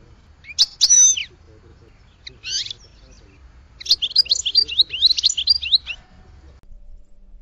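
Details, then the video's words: Scattered goldfinch notes: a couple of sharp high chirps and a brief buzzy note, then a quick tumbling twitter lasting about two seconds before quiet returns. "Goldfinch Song to Educate Newcomers to Their Call"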